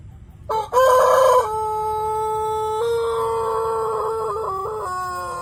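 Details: White Pelung chicken crowing: a loud, harsh opening burst followed by a long, clear, ringing tone with slight wavers near the end, then stepping lower.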